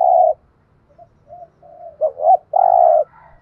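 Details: Spotted dove coo used for training decoy birds: a low, steady coo around the 600-800 range of a dove's voice, short opening note, soft broken notes, then a longer loud held coo ending the phrase.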